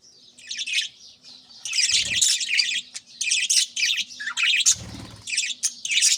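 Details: Budgerigars on an early morning, loud bursts of scratchy warbling chatter in phrases about half a second long, with two short low fluttering sounds like wingbeats between phrases.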